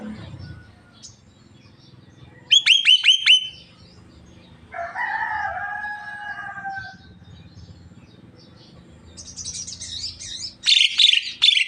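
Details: Javan myna reported talking until coughing: a quick clicking, ticking run of sharp notes, then a hoarse, nasal drawn-out phrase, later high hissy rattles and a loud final harsh burst over low background hum.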